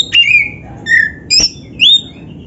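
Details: Brief phrase of black-breasted Oriental magpie-robin gacor song, used to train other magpie-robins: four separate pure whistles, two sliding downward, one rising, spaced about half a second apart.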